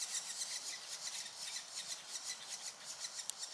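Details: Two near-fledging banded woodpecker chicks in their nest hole in Singapore, on an overcast, rainy morning, waiting for a parent's food delivery, give a steady stream of dry, raspy, hissing notes, two or three a second, high and buzzy.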